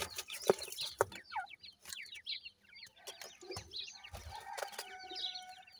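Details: Grey francolin chicks, locally called dakhni teetar, with a pair of adults: many thin, high chirps and downslurred peeps overlap in a dense chatter, broken by a few loud clicks and knocks.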